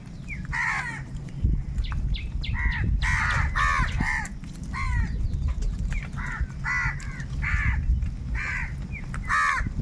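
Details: Many crows fighting over food, with loud, hoarse caws crowding one after another in dense overlapping bursts over a rumbling low background noise.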